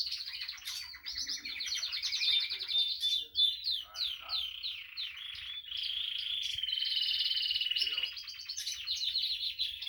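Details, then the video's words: Rapid pulsed rolls, sweeping slurred notes and a long level trill near the end come from a female Spanish timbrado canary singing continuously. "Female Canary Timbrado That Sings"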